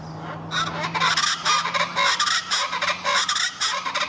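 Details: A Rufous-vented chachalaca (Ortalis ruficauda) in Caracas sings in duet with its mate: loud, harsh, rhythmic calls in a noisy chorus, roughly two bursts a second, over a faint steady low hum.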